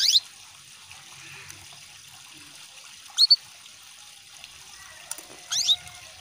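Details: Female canary calling to stimulate males to sing, with trickling water added. Three short, sharp chirps that sweep down steeply: one at the start, one near the middle and a double one near the end. Water trickles quietly throughout.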